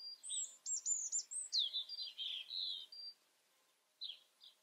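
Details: European robin singing a high, rapid, varied phrase of thin whistles, trills and tumbling notes lasting about three seconds, then a pause and a couple of short high notes, in a quiet setting.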